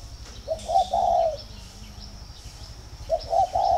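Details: Captive spotted dove in Ba Vì, Vietnam, giving calls that signal readiness to pair: two gentle coo phrases of three rising-then-falling notes each, with faint high bird chirps behind.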